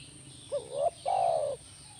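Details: Single phrase from a spotted dove played to prompt a caged bird to respond: a brief upswept coo followed by a drawn-out, soft, slightly descending coo, with a faint background hum.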